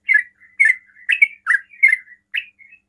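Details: Short burst of a sooty-headed bulbul's quick 'ropel' song, meant to prompt other bulbuls to answer: six bright warbling chirps linked by soft trailing whistles, fairly even pace.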